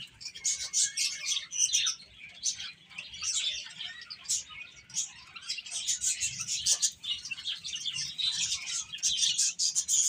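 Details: Domestic chicks eating and playing produce a continuous wash of sharp, high chirps from several birds, rising and falling in loudness.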